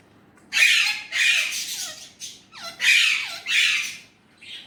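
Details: Indian ringneck parrot saying Urdu/Hindi words, five loud coarse syllables in steady succession, some with falling tails, and a soft trailing note.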